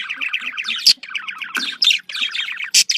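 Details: Budgerigar, the Australian parakeet, in happy contact calling: a rapid string of buzzy repeated notes, like a fast chattering trill, with three loud sharp clicks breaking in.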